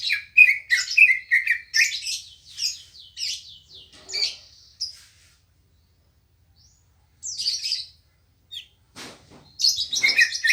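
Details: Green leafbird, locally cucak ijo, kept as a house bird, singing a lively gacor song: rapid varied whistled and chirping phrases, bright warbling runs and trills, pausing briefly midway before resuming with dense twittering.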